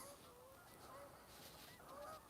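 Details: A flock of Canada geese arriving from the south passes overhead with several overlapping, fairly faint nasal honks over steady wind and distant noise, by a river at Parc de la Frayère, Boucherville, near Montreal, on 21 March 2026, in early spring with lingering ice and snow.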